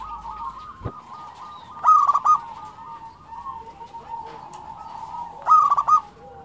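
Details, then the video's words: Local zebra dove singing prolifically: bursts of bright, rapid trilled coos near the same pitch about every three and a half seconds, over a steady background of softer overlapping cooing from other doves. "SUARA perkutut lokal gacor"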